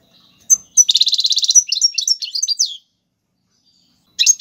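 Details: European goldfinch singing in the tiwawati galoubi and serfati styles, a song used for teaching young birds: high, bright twittering with a fast buzzy rattle of repeated notes, then quick varied chirps, a pause and a final burst.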